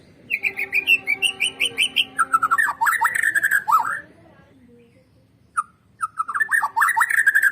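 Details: A lure recording of white-rumped shama song to get birds singing. A rising string of whistled notes runs into loud, twisting, chattered phrases, then a brief quiet before the fast warbling starts again.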